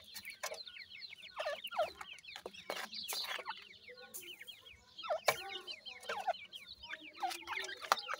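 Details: A group of Iranian francolin chicks keeps up steady high, falling peeps, overlapping densely, with intermittent loud clicks and rustling.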